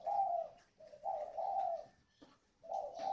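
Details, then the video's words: Spotted dove kept as a decoy bird in Ba Vì district, Hanoi, with a 'còi' voice: soft, low coos in grouped phrases, a pause, then another coo, with a faint steady tone and a click in the background. "CHIM MỒI GIỌNG CÒI"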